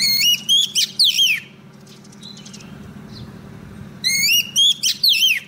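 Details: Oriental magpie-robin female singing to call in a male: a rising whistled phrase with sweeping, descending notes, a long quiet gap, then the same rising phrase repeated; steady low hum underneath.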